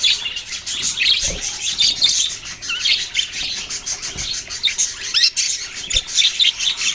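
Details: Budgerigars chirping together: a dense, continuous wash of high, scratchy chirps and short warbled notes from many overlapping birds, with a few sharper squawks and faint low thumps.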